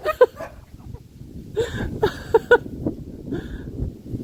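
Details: A Moluccan cockatoo, out on a walk, excitedly barks like a dog at a favourite neighbourhood dog it spotted, giving short, harsh bark-like bursts in quick succession.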